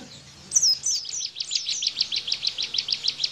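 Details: Bar-winged prinia singing the 'tembakan bren' style, used as tutor song for training caged white-eyes: a steady series of sharp, high, downslurred chirps, about four to five per second, after a quiet start.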